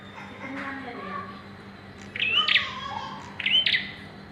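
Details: Bar-winged prinia in pairing stage, two bright rising chirps near the end after soft indistinct background sounds, over constant low hum.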